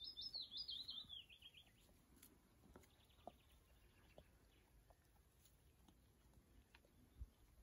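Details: Willow warbler singing: one sweet phrase of quick trilled notes that slides steadily downward in pitch over about a second, then fades into faint scattered notes, soft clicks and light background noise.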